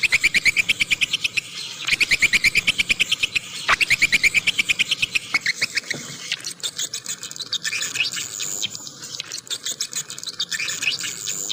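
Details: Swiftlet lure sound: a steady series of rapid, clicking chirps repeated about three times a second in runs, later shifting into a denser, scratchier twittering chatter.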